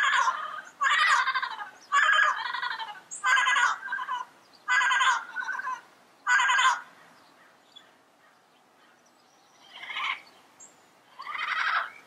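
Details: Wild yellow-headed parrot in its natural environment giving loud, harsh, raspy squawks in a rapid burst of about six, then a pause and two more rough calls further off.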